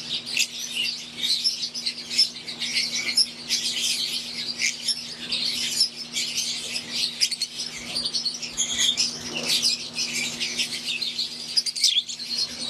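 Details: Long stretch of aviary chatter from wild-type green Fischer's lovebirds and Euwing lovebirds: unbroken shrill, overlapping chirps and squeaks from many birds at once, with a steady low hum throughout.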